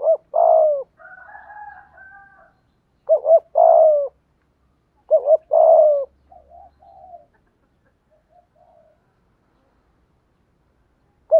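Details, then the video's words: Spotted dove in the "thúc gù" cooing style, used to stir wild and decoy doves into cooing. Repeated phrases of two quick notes and a longer, slightly falling coo, with soft, hoarse murmurs between the phrases. "Tiếng cu gáy THÚC GÙ ( bài bản ) giọng hạp bổi, nghe rất nhanh nổi"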